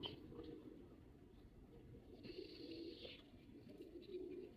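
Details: A male pigeon in performance gives soft, throaty cooing phrases that rise and fall in several bursts, over a constant high-pitched hiss.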